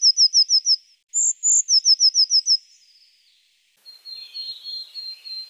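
Eurasian blue tit song: a fast run of thin, high, down-slurred notes, two higher whistles, another quick series, then a lower buzzy trill.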